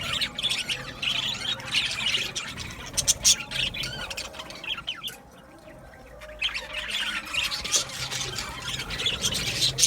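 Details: Budgies chirping in an aviary: lively squawks and chirps, a quieter pause mid-way, then the chattering of several birds resumes strongly.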